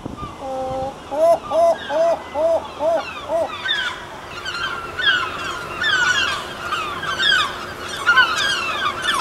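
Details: Breeding colony of herring gulls: a short run of six nasal, arched notes at the start, then a busier mix of overlapping higher, sharper calls from other birds around.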